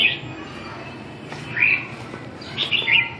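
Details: Red-whiskered bulbul singing in a few separate bright, liquid chirped phrases spaced about a second apart. A steady low hum and background noise run underneath.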